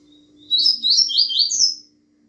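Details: Double-collared seedeater giving a fast Bahiano-style song phrase: four rapid, high, downward-slurred notes ending on a higher sweeping whistle, about one and a half seconds long, with a constant low electrical hum underneath.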